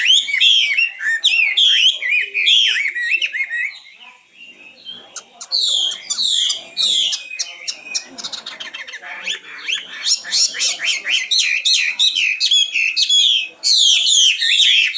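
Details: Long, varied song of a common nightingale: rapid hooked warbles, a pause, then sharp clicks and a fast series of repeated notes building back into loud rich phrases.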